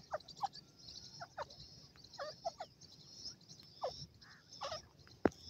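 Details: Grey francolin (gora teetar) giving short, harmonic-rich calling notes, spaced irregularly over a few seconds, against a steady high insect drone and other faint bird chirps.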